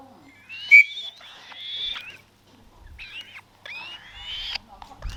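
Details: A 35-day-old black-shouldered kite chick being fed in falconry gives harsh, wheezy, high screeches in drawn-out bouts of one to two seconds, with brief pauses between them.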